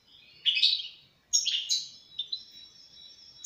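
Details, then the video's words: European goldfinch giving two twittering phrases, the second ending in a thin sustained whistled note, with a quiet background. "استمتع مع طائر الحسون"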